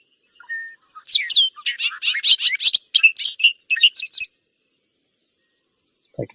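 Bobolink song: a couple of soft opening notes, then three seconds of rapid, bubbly, metallic notes jumping high and low. A brief thump follows.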